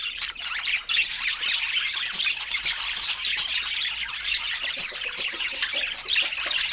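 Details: Pet budgerigars at fruit time: loud, unbroken warbling chatter of overlapping chirps, squeaks and harsh notes throughout.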